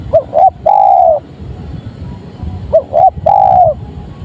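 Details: Spotted dove song, two phrases, each a short double coo followed by a sustained low coo that drops at the end, with light background hiss.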